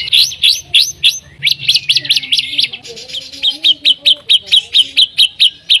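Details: Song of a white-rumped shama, played to get other shamas singing: rising whistled notes repeated quickly, then a steady series of short sharp notes about three per second, with faint low tones beneath.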